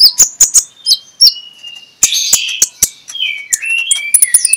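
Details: Magpie-robin in morning 'ngeplong' song, played to coax reluctant magpie-robins: sharp high notes and drawn-out whistles, followed by a busier rambling warble of slurred whistles at varied pitches.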